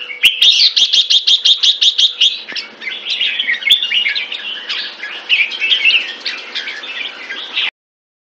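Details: Jambul, the red-whiskered bulbul, opens with a fast run of about ten identical sharp repeated notes, then flows into a continuous rich, chattering warble that stops abruptly.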